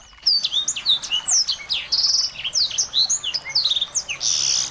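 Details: Recording of small birds meant to make a white-rumped shama sing; busy, high-pitched chatter of sharp down-slurred whistles and brief buzzy trills, delivered continuously after a short quiet opening.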